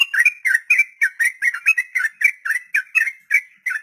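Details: Long 'ropel' song of a sooty-headed bulbul, used to tutor untamed captive birds: quick chattering whistled notes, roughly four per second, each a brief rolling twist, kept up without pause.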